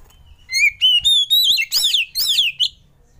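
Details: Oriental magpie-robin lure song played to prompt other birds to sing: loud ringing whistles rising in steps, then several strong arched, slurred notes in quick succession over about two seconds.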